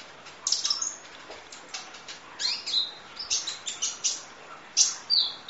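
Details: Kolibri ninja sunbird singing in training audio: a busy run of thin, very high ticking chirps and brief downslurred notes, loosely clustered with small pauses between groups.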